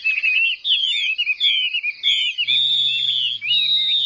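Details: Caged Chinese hwamei singing competitively: rich, rapid whistled phrases with sweeping slurs, then a long sustained clear whistle over a low steady hum in the second half.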